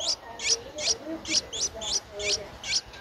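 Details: High, sharp chipping notes from a ten-day-old Streak-eared Bulbul nestling, recorded 12 April 2023 in Ubon Ratchathani, Thailand, come in a quick steady series of about eight squeaks within three seconds.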